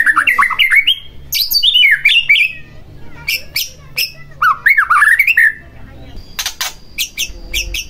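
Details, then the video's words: White-rumped shama song meant to make a reluctant shama sing: bursts of fast rolling whistled phrases and sharp high clicks, then a quieter stretch with a thin steady high tone and clicking. "Pancingan Murai Batu Agar Bunyi Langsung Emosi Bongkar Isian"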